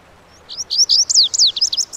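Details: Loud, clear Lazuli bunting (Passerina amoena) song: a hurried sequence of high sweeping whistles and steeply falling slurs, ending in short clipped notes, lasting about one and a half seconds.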